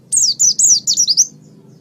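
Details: Oriental white-eye master song used for training birds: one short, fast phrase of high, sweeping, slurred whistles running together, then quiet.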